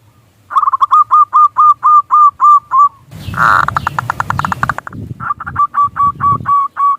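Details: Local Indonesian zebra dove cooing as a lure to set other doves calling: a long run of quick, evenly spaced hooked notes, then a harsh noisy burst over the calls, then cooing resumes against low background rumble.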